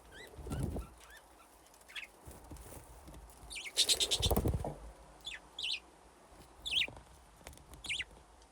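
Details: Budgerigars in an aviary with nesting boxes, a flock grown from two pairs, playing; scattered bright, sharply rising and falling chirps, some in quick doublets, with a loud burst of fluttering and thumps near the middle.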